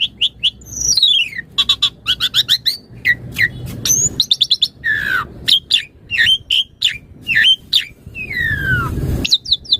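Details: Long, varied stretch of Asian pied starling song for training other starlings: rapid chirp bursts, sweeping downward whistles, sharp squeaks and slurred phrases in quick succession, with a low rumble near the end.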